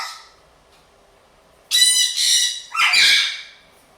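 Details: Indoor blue-and-gold macaw, housed with a sun conure and a parrotlet, noisy from boredom and telling the others to stop; three loud, coarse, rasping squawks follow a quiet stretch, then a man's voice comes afterwards.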